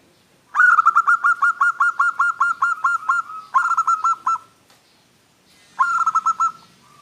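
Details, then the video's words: A local zebra dove (perkutut), a recording used as a lure or training song for other doves, gives three bursts of soft, rapid, stuttering coos, each a quick run of even notes at about five per second. "SUARA ANGGUNAN PERKUTUT LOKAL , BIKIN LAWAN JENIS AJAK RIBUT"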